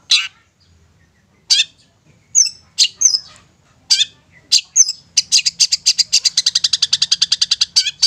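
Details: Long-tailed shrike song serving as a lure for silent young shrikes: scattered sharp, grating notes with gaps, then a fast harsh rattle of about twenty-two repeated notes over three seconds, roughly seven a second.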